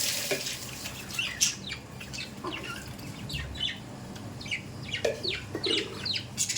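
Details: Budgerigars kept as pets, making scattered sharp chirps and short squawks with some wing flutter and rustling, over low background noise.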